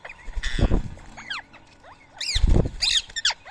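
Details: Rose-ringed parakeets gathered to eat soaked boiled rice in Coimbatore, India, at 7 AM on a March morning; arching screeches sweeping down in pitch, between two loud low-pitched rumbling bursts of handling or wing noise.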